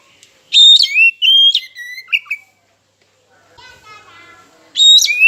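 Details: Oriental magpie-robin lure song for making a mute bird or rival sing: two strong whistled phrases with abrupt pitch jumps and sliding notes, separated by a quieter stretch of soft twittering.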